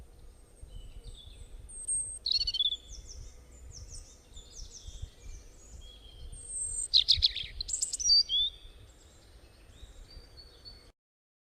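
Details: Bird chirping outdoors: scattered high, sharp chirps and short downslurred tweets come at irregular intervals, with louder bursts of rapid twittering near the middle and a steady low background hum throughout.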